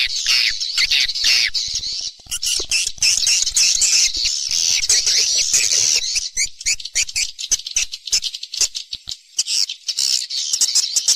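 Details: Swiftlet roosting lure call meant to attract swiftlets to roost: dense, continuous high chittering and twittering from many birds, with rapid clicks throughout and brief dips in loudness.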